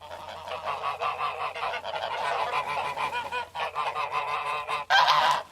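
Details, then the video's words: A group of geese gives a steady stream of overlapping honks, harsh and nasal, with a brief lull before a louder burst of cackling at the close. "Гусь голос . Қаз дауысы"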